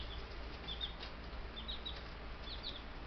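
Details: Buff Brahma chicks, ten babies four days after arrival by post in May, giving faint high peeps over a steady low hum.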